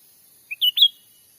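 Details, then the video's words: Grey-bellied bulbul (cucak ranting) original voice used as a bird-trapping lure in the forests of Sumatra. A faint short chip leads into two strong, clear whistles, the second slightly higher and longer. Quiet background. "suara asli pikat cucak ranting gacor"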